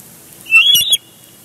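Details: Bald eagle at a Big Bear Lake nest, recorded by a live camera on June 23, 2022, during a tussle between the pair over a large fish; one brief, high, thin whistled call that rises and then breaks into a stutter.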